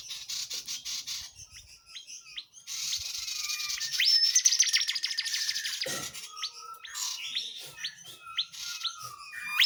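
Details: Tledekan jati singing energetically as tutor material for songbirds such as shamas and leafbirds; a continuous high chattering trill of rapid notes, with interspersed short whistled and upslurred chips toward the end.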